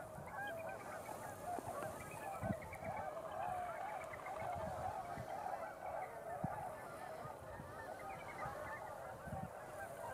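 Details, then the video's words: Flock of tundra swans gathering on a pond at dusk after flying in through the twilight hour, calling nonstop in a dense chorus of soft, mellow, high overlapping hooting notes over a low rumble of wind or water. "Tundra Swans"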